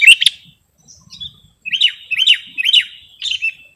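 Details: Sooty-headed bulbul song from a recording meant for luring birds and tutoring caged birds: a short opening burst, a pause, then four clear, bouncy rising-and-falling whistled phrases in steady succession.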